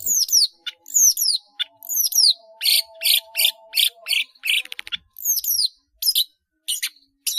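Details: Cendet, a long-tailed shrike, singing busily with many fill-ins: repeated paired down-slurred high whistles alternate with harsh buzzy bursts, phrases spaced under a second apart, over a faint steady hum.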